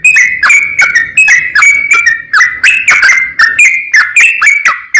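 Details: Sooty-headed bulbul in its long, rapid 'ropel panjang' song, used to challenge a rival and stir other bulbuls to sing: steady chains of bright, slurred whistles, each note sliding downward, about a dozen in five seconds.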